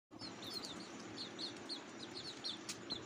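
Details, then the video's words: Hungry cuckoo chicks in the nest, begging: thin, high, downslurred chirps repeated several times a second over a steady background hiss, with one sharp click near the end. "Beautiful cuckoo babies are very hungry"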